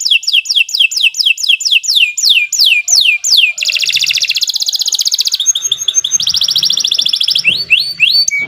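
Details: Canary pouring out long 'gacor' song for use as masteran: a run of steep falling whistles, then a loud buzzing rattle, quick trills and a few rising whistled notes.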